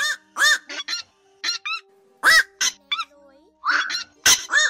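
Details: Black-crowned night heron flock and biting calls, a lure recording for night netting of migrating birds in August 2024: dense run of hoarse, honking squawks and clipped barks, irregular and overlapping, some with a bent, wavering tone.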